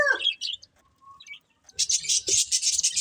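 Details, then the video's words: Budgerigars kept as a breeding pair: a short rasping squawk and chirps at the start, a quiet gap with a thin whistle, then continuous high, hissing chatter. "Cute Budgies Chirping Sounds"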